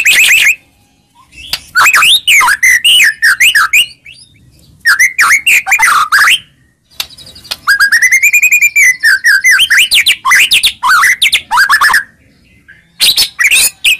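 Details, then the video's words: White-rumped shama song played to provoke a reply, loud varied phrases of rising and falling whistles in dense bursts separated by brief pauses, with a long arched trill in the middle. "Pancingan Begini Yang Disukai Murai Batu Seketika Langsung Nyaut"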